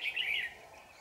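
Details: A single brief phrase from a red-whiskered bulbul, the 'shrimp-back' trapping bird singing intensely on 4 January 2018. A bright, rolling, slurred warble lasts half a second, then fades into a faint background hum.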